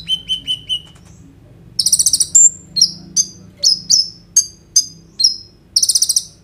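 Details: Singing sunbird (kolibri ninja), phone-recorded as a lure for untrained birds: a run of even chips, a quick buzzy trill, then regularly repeated sharp downslurred notes about every half second.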